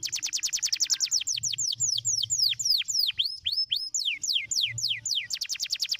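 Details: Canary song used to stimulate other canaries to sing: fast high trills repeated several times a second, then a run of slurred downward and upward sweeping notes, ending in another rapid trill; faint low hum underneath.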